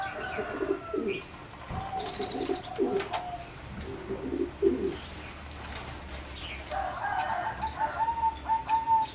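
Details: Caged zebra doves bred for singing contests, flight cage, 30 April 2014: rounded low coo clusters in bursts, ending in a bright, rapid staccato trill, with faint other bird calls behind.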